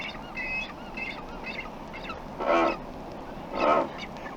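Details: Double-crested Cormorant producing two loud, guttural croaks about a second apart, preceded by a busy mix of short whistled and nasal calls from other birds in a noisy outdoor setting.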